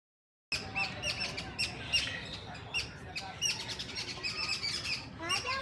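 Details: Birds in a patch of jungle inside an Indian city; bright, high overlapping chirps and short twittering notes from several birds, with faint low urban rumble beneath.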